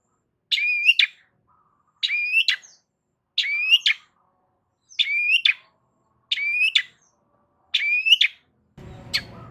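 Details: Loud Long-tailed shrike song used to provoke other shrikes: six matching phrases of a rising whistled slur ending in a harsh click-like note, about every 1.4 seconds, then a burst of rumbling noise at the end.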